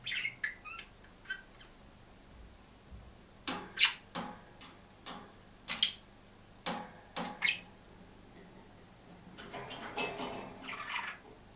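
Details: Lone caged budgerigar chirping and singing: scattered short chirps early on, a run of sharp clicks and chirps in the middle, then a softer, denser chattering warble near the end over a quiet room background.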